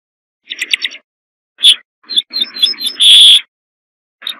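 A corn bunting sings a short burst of stuttering ticks that speed up into a jangling, glassy trill, like shaken keys, followed by a lone clipped note.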